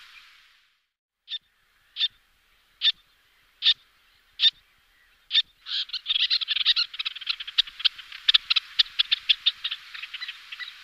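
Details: Two pairs of little terns (Sterna albifrons) calling during flight displays: six sharp, high 'kik' notes under a second apart, then rapid, excited chattering from several birds.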